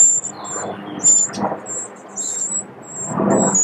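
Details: Eurasian wrens at a family nest under a pavilion, protected from wind and rain: piercing, thin squeals come in short, uneven bursts over muffled low rustling thumps.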